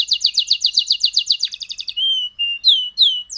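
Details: Champion canary song: a rapid rolling trill of bright repeated notes that gives way to a few sweeping whistled phrases and short pure tones.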